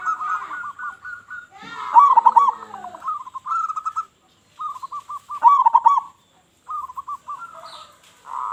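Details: Vigorous local zebra dove with a big voice, a lure to draw in other doves: strings of short even coos leading into louder bubbling trills, repeated roughly every three to four seconds.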